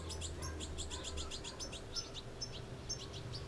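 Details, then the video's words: Goldfinch young calling while being fed: a fast series of sharp, high, buzzy chirps, crowded at first then spaced more loosely, over faint low background noise. "Goldfinches feeding their young"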